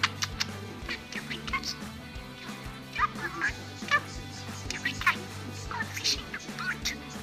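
A budgerigar chatters in quick, scratchy, warbling bursts, with short squeaky notes strung together like speech. A low steady hum and faint music run underneath.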